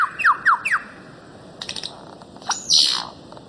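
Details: Bird-of-paradise, Papua and Aru Islands, Maluku, for cage-bird tutoring: four quick clear downward-slurred whistles, a pause with faint ticks, then a harsh noisy rasping burst.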